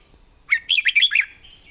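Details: Red-whiskered bulbul, praised as a rising star with pleasing song phrasing, delivers one quick phrase of five or six bright, bubbling notes followed by a thin trailing whistle.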